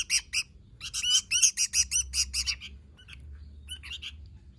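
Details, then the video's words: Sooty-headed bulbul in gacor song: a fast burst of about a dozen sharp, ringing chirps that thins out into a few scattered notes toward the end. "Suara Burung Kutilang Gacor"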